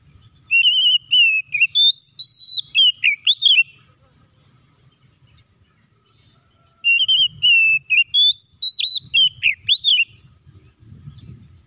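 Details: Oriental magpie-robin song used as a lure to provoke other magpie-robins into singing: two loud bursts of clear whistled, warbling phrases, high and varied with quick slurred notes, separated by a few seconds of near silence with faint low rumble.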